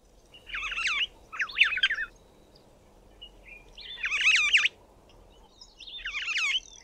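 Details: Cape (Glossy) Starling singing from the top of a small tree: four separate bursts of slurred, warbling phrases with rising and falling notes, pauses between each, over quiet low background hiss.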